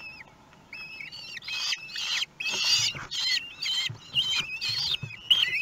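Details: Common kestrels at a nest in Théding, France, 2 June 2020, at feeding time with a large prey; dense harsh screeching and wavering whines overlap almost continuously, with rustling and scratching in the nest.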